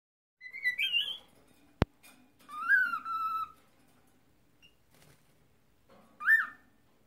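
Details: A pet cockatiel trying to talk and sing gives a few separate whistled phrases, one rising then held, another falling, with a sharp click and long quiet gaps between them.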